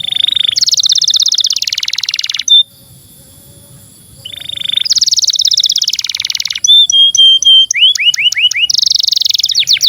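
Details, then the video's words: Canary singing long, fast buzzy trills high in pitch, broken by a pure whistled note and quick rising chirps, with a short pause midway; used as a master song to prompt young or silent canaries. "SUARA BURUNG Kenari GACOR PANJANG"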